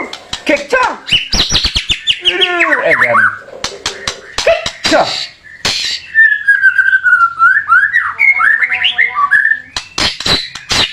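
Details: White-rumped shama song used as training material for competition birds: varied loud whistled phrases, slurred and falling, with a long wavering whistle, broken by many sharp clicking snaps.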